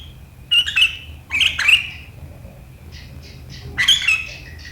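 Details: Riwikan chatter of a sooty-headed bulbul (kutilang), 7 April 2023: two harsh squeaky bursts, softer distant twitters, then a final sharp burst.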